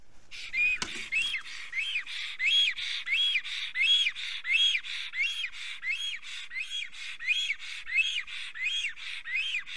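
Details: Black stork pair in Estonia, arriving together at their nest and singing a duet on 25 June 2020 at 3:03 pm; rapid rhythmic series of wheezy, arched whistles, about one and a half per second, harmonically rich and steady.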